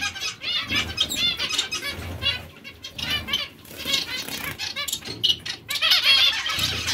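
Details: Zebra finch chatter of quick nasal chirps and buzzy trills, rising and falling in bursts, with soft low rumbling beneath.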